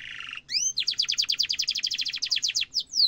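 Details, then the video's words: Canary in full song with a long sharp roll meant for tutoring young canaries; a brief buzzy note and two rising whistles lead into a rapid, steady trill of chirps, ending in a high downward sweep. "kenari gacor ngerol tajam cuit cuit kenari bisu langsung nyaut efektif untuk masteran kenari muda"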